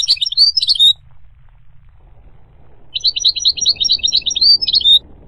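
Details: A goldfinch delivers a brief tinkling phrase, falls quiet, then returns with a longer string of rapid, evenly spaced high chirps ending in a slurred note; faint background hiss.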